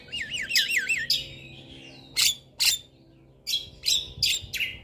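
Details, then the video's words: Javan myna in a cage, training song played to coax idle birds into singing: a warbling, wavy whistle at first, then loud sharp rasping notes spaced about a second apart. "Pancingan Jalak Kebo Malas Bunyi"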